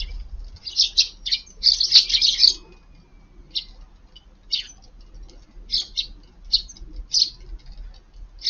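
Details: Wild Eurasian tree sparrows feeding in a garden at midday on a cold, strongly windy winter day: bright, high chirps in quick clusters, busiest early on, then scattered single chirps with low wind rumble underneath.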